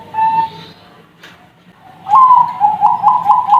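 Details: Young zebra doves of the Bangkok line at a bird farm. A brief tonal coo fades, then after a pause come a rising whistled note and quick repeated bubbling coos on a steady pitch.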